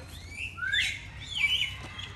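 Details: Alexandrine parakeet at feeding time giving two harsh, rising squawks in quick succession, the second higher and more strained, over a low steady background hum.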